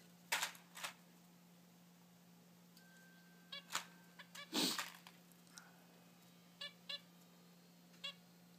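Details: Three young zebra finches, about three weeks old, just out of the nest and flying on their own, give short, nasal, buzzy calls in scattered bursts over a steady low hum.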